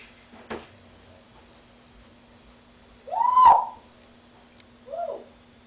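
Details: Pet grey parrot mimicking laughter and duck quacks gives a click, then a loud nasal, hoarse note, then a shorter softer one, over a steady electrical hum.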